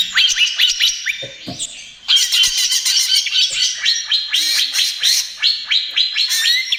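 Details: Spotted 'trotol' greater green leafbird song meant to stimulate other birds: a continuous rush of rapid high chattering and sweeping notes, briefly broken near the middle, with faint low knocks in the background.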